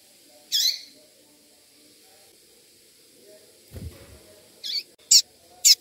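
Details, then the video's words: A calling female double-collared seedeater, used to warm up males, gives short, high, scratchy chips: one alone, then three quick ones near the end, with a dull low thump between. "Fêmea de coleiro piando esquenta Coleiro tui tui"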